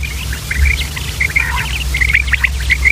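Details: Short common quail (batair) calling: sharp chirped notes in brief clusters, clearer and quicker toward the end, with low background hum.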